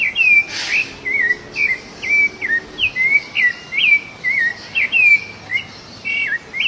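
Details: Wild rufous-bellied thrush singing while feeding free in nature, delivering a steady string of short clear whistled notes, each dipping or sweeping in pitch, about two per second, with a brief rustling burst near the start.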